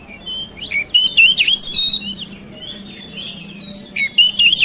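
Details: Household oriental magpie-robin song meant to coax mute birds to sing: sweet, varied whistles sliding up and down, broken by fast chattering notes, with a low background hum.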